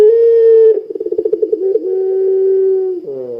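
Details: Puter pelung ringneck dove cooing actively, used as a lure to set other doves calling: a long low steady coo, then a fast rolling stutter of pulses, then another drawn-out even coo, ending on a short lower tone.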